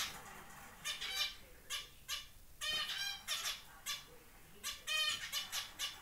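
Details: Newly fledged zebra finch chick, first flight out of the nest: loud, buzzy, nasal beeps given in rhythmic runs of two to four, spaced by short silences.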